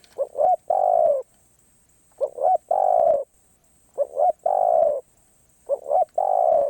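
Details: Spotted dove, karom pa roi song: short stuttering double notes, then a drawn-out husky coo. The phrase comes four times at intervals of about two seconds.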